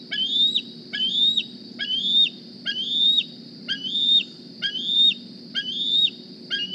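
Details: Morning at the Decorah nest: juvenile bald eagle D36, fitted with a GPS transmitter, squees while looking for a meal, giving piercing rising whistles that end in an abrupt downslur, about one per second over a low background rumble.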